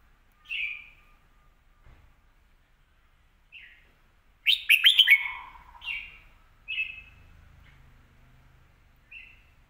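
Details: Red-whiskered bulbul with a quick, clear voice: short bright whistled phrases spaced a few seconds apart, with one loud, rapid burst of clicky warbled notes in the middle; quiet surroundings.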